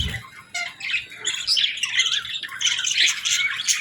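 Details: Budgies at morning feeding and bath time, including a gently chirping female: rapid, chattering high warble with squawky notes, about three per second, near-continuous after a short opening gap.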